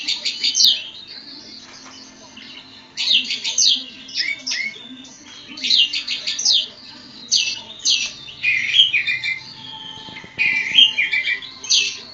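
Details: Javan kacer poci, an Oriental magpie-robin, sings in separated bursts of chattering, buzzy high notes and downward-slurred whistles, each outburst lasting about one to two seconds with short quiet pauses between.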